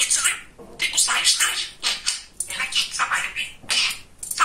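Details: Talkative male budgerigar kept as a pet, chattering mimicked speech in rapid scratchy phrases with brief pauses, indoors.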